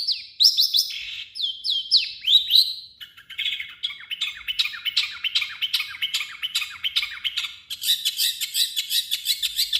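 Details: Long-tailed shrike in full, harsh song, used as a lure to provoke other shrikes into singing: sharp, high, falling whistled notes at first, then quick, scratchy, repeated chattering phrases with rapid buzzy trills toward the end.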